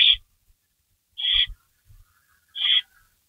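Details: Barn owl giving three brief, harsh hissing screeches about one and a half seconds apart at a rabbit delivery, 3:53 AM, May 16, 2012, with soft thuds in between.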